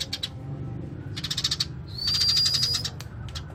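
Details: Eurasian tree sparrow in lively, rolling song: fast chattering chirp series, then a sustained thin high whistle overlaid by rapid repeated chirps, with a low constant hum beneath.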